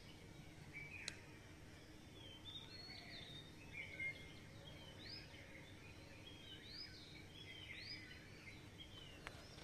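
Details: Early-morning dawn chorus of many birds, heard as soft overlapping chirps, peeps and brief rising whistles from a distance. A constant low rushing background noise runs throughout, with a couple of sharp clicks.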